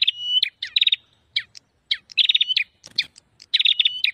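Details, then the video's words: A prinia lure call for attracting prinias gives bursts of rapid, high, buzzy chirps, short trills of repeated notes broken by single sharp tweets, with no other sounds heard. "SUARA PIKAT PRENJAK"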